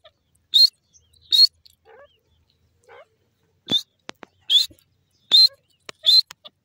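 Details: Grey francolin, locally called dakhni teetar, giving loud, sharp, high-pitched calls in short bursts, about six in under seven seconds at a fairly steady pace, with faint clicks and soft chirps between them.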